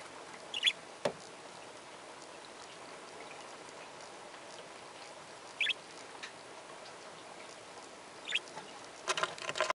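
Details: A pair of budgerigars giving three brief, sharp chirps spread several seconds apart, mixed with loud clicks and a burst of tapping and rustling near the end, over a quiet hissing background.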